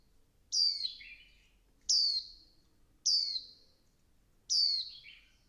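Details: Four crisp, high, descending notes from a female Swinhoe's white-eye stimulating the male, spaced about 1.3 seconds apart, the first ending in a brief lower twitter.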